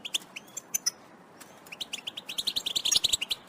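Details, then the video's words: European goldfinch twittering, called batbata, meant to stimulate males to sing. Sparse high chirps open the passage, then a quickening run of short bright notes builds into dense chatter near the end. "بتبتة حسون سحرية في تحفيز الطيور على الغناء و الهيجان🔥بتبتات ونداءات الحسون الأكتر تحفيزا للذكور"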